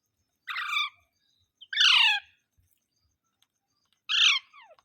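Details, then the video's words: Parrot screeching three times, each call a rough, layered, falling squawk about half a second long, separated by short silences. "Parrot Sounds Videos Compilation | Mitthu Mitthu Parrot Sounds | मिट्ठू मिट्ठू |Funny parrot sound"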